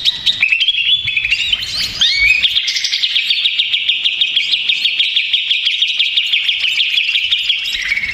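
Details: Agitated greater green leafbird, a lure recording meant to make other leafbirds answer: a brief rising whistled phrase, then a long, steady, fast buzzy trill of repeated high notes lasting several seconds.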